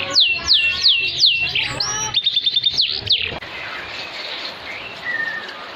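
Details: Canary song for coaxing quiet canaries into singing and for tutoring birds: loud downslurred whistles repeated about twice a second, a clipped rattling series, then the song fades into background noise with a distant faint whistle.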